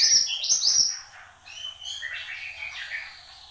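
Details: Horsfield's babbler singing vigorously: a loud burst of sharp, high rapid notes, then quieter varied whistled phrases at lower pitch.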